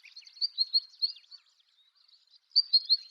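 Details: Siberian long-tailed rosefinch giving a series of clear, high chirps in a quick sequence, a short pause, then another fast run of bright notes.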